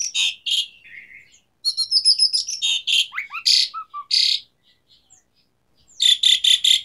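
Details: Asian pied starling in spirited song to encourage a silent bird: loud rasping notes, squeaky chatter and short rising whistles, a pause, then a quick run of four harsh notes.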